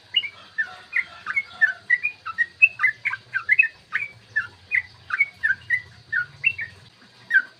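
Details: Yellow-vented bulbul singing a long ropel song used to provoke bulbuls into calling and fighting: steady, rapid series of gurgling whistles, with a faint low hum underneath.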